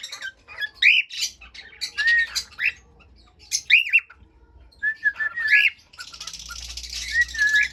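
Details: Cockatiel singing at home: clear whistled notes that swoop up and down, several short phrases separated by pauses, with flat held whistles near the end over a soft hiss.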